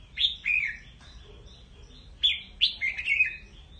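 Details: Calling the flock, a red-whiskered bulbul gives a few lively, warbling phrases that drop in pitch, two groups separated by a quiet gap, with one more tumbling series near the end.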